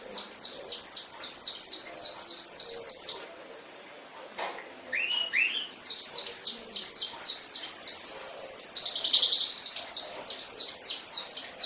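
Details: Canary singing on a master training recording for pet canaries, fast high trills of downward-sweeping notes running continuously, broken once by a short silence and a sharp click before the rolling song starts again.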